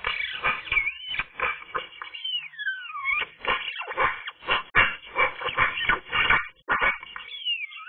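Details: Sunny-day singing from a Eurasian magpie: continuous rough, creaky chatter mixed with clear whistled slides falling and rising, the varied notes following one another quickly for the whole stretch.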